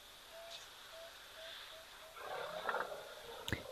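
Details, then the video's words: At an African waterhole on 22 November 2024, an emerald-spotted wood dove gives five soft, low hoots that come closer together, then a burst of other birdsong and a sharp click. "You can hear the emerald spotted wood doves there now."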